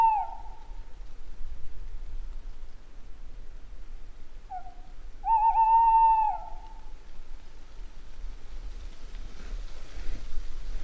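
A Tawny Owl gives hollow, low hoots: one opening note, a short pause, then a drawn-out, quavering hoo. A steady low rumble runs underneath.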